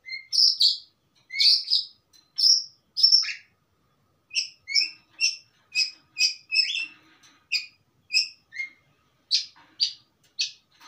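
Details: Varied song of a long-tailed shrike in stable form, rich in material: a long string of short whistled and buzzy notes at shifting pitches, some rising, delivered in irregular quick succession.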